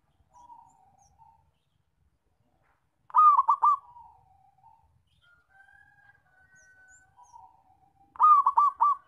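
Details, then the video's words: Zebra dove giving a strong call used to lure and trap birds: two rolling, four-note pulsed coo phrases five seconds apart, with quieter level whistled notes in the gaps. "PERKUTUT SUARA KENCENG BAGUS BUAT PANCINGAN DAN PIKAT"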